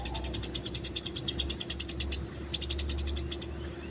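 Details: Eurasian tree sparrow in the wild giving fighting calls: a rapid run of sharp, high chirps for about two seconds, a short pause, then another fast chirping burst over a low steady hum.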